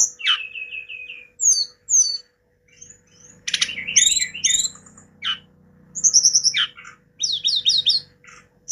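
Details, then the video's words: Hill blue flycatcher singing energetically: varied clear whistled notes, a quick run of repeated short whistles, high sliding trills and scratchy bursts, separated by short pauses; a faint steady hum runs underneath. "Si gacor moncor,TLEDEKAN GUNUNG istimewa"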